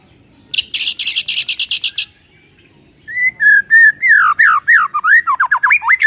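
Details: White-rumped shama song for waking a sluggish shama into song: a buzzy, rattling chatter is followed after a pause by a flowing series of loud whistled notes, several sharply dipping and rising.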